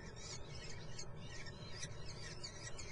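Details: Brief burst from common kestrel young in their nest in Muttenz: several sharp, high squealing notes in quick succession, partly masked by a loud low hum.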